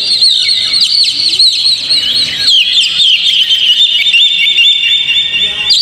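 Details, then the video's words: Oriental magpie-robin song played to provoke a caged bird into singing: loud, unbroken stream of high whistles, sharp chips and fast warbled trills, overlapping phrases packed densely with no pauses. "PANCING KACER PLAY ON"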